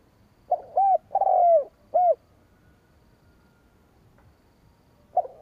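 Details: Decoy call of a spotted dove meant to draw in rival doves: three soft low coos, the middle note drawn out and dropping in pitch, followed by a pause and the start of another phrase.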